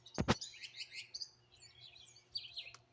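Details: Mixed wild birds chirping in Greenville, South Carolina, phone recording: two sharp loud clicks at the start, then bright high twittering phrases and scattered chirps, with a faint low hum beneath.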